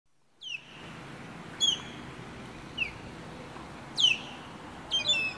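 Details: Female osprey (sea hawk) at her nest, calling in warning at a person who came too close; sharp, high, downslurred whistled yelps, some in quick doubled bursts, repeated about every second over steady background hiss.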